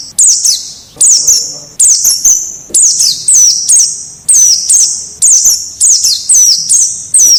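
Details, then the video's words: White-eye from the wild, played to teach captive birds to sing: a steady run of bright, high down-slurred chirps, often paired, coming several per second. "Suara Masteran Pleci Ngalas Agar Cepat Buka Paruh"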